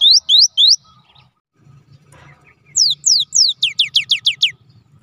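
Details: Cinereous tit (gelatik batu) singing: three rising whistles, a pause with a soft rustle, then rising notes that speed up into a fast run of downslurred whistles.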